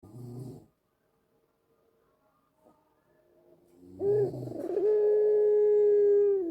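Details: White collared dove cooing, used as a lure to make doves at home coo along: a short low purr, a pause, then a rolling rise into a long, steady, pure held note lasting nearly two seconds.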